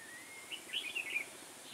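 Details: Caged decoy red-whiskered bulbul in fighting song while trapping wild bulbuls, 21 October 2017: one rapid, lively warbled phrase of bubbling high notes lasting about a second, with faint hiss behind.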